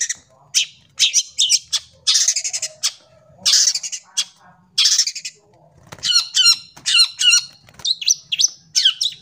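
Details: Long-tailed shrike song played as a clear, full tutor recording for young shrikes and to prompt shrikes to sing: harsh squawky bursts alternate with sharp high chirps and crisp harmonic notes in quick, irregular bursts.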